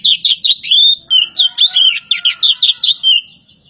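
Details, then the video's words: Oriental magpie-robin from Java in full song: a rapid, continuous stream of high, sweet chirps and slurred whistled notes, about five per second, with a faint steady lower tone beneath. "BURUNG KACER POCI JAWA"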